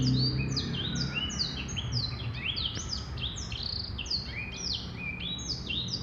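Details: A male black-throated canary delivers a long, unbroken warbling song of fast, high whistled glides, many notes tumbling over one another in bright sweeping arcs.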